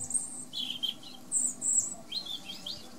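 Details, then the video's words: Singing European robin: alternating very high thin whistled notes and lower warbling twitters in quick succession, fluid and varied, over a low background hum. "Erithacus rubecula Κοκκινολαιμης κελαηδημα"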